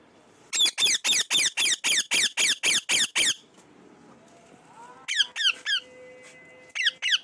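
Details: Chatty pet parrot lets out a rapid string of about ten piercing, downward-slurred squawks, evenly spaced, then after a lull a few more in pairs, with a faint steady tone behind.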